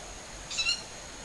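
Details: Ural owl, possibly young birds, one of about five moving tens of metres above ground, calling on an early-summer evening, 20 July around 19:40, recorded from a garden on a compact camera. A single short, hoarse, hissing screech, fairly high-pitched.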